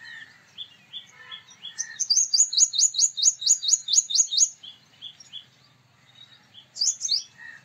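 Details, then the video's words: Soft rising chips from a male purple sunbird lead into a rapid rattle-like string of ringing metallic notes, then a few scattered call notes and a final sharp burst. "Purple Sunbird Sound / Purple Sunbird Song / Purple Sunbird Call /Male Purple Sunbird Vocals, Voice"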